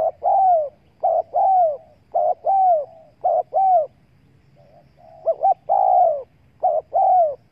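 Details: A spotted dove cooing to draw in wild doves. Repeated phrases of a brief double note and a longer falling croo. A short pause midway, then the series resumes, with low rumble beneath.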